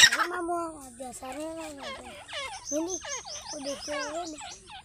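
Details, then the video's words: Partridges (teetar) during a fight, giving a rapid series of loud, ringing, up-and-down slurred whistles that overlap and quicken toward the end, with a brief human laugh nearby. "teetar ki ladai | teetar fight | teetar ki awaaz | teetar sound"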